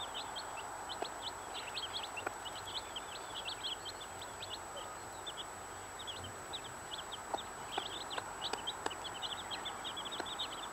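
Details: Brood of 15 chicks with the mother hen, steady chorus of thin high downslurred peeps repeated rapidly and irregularly, with a few sharp taps and faint low background noise.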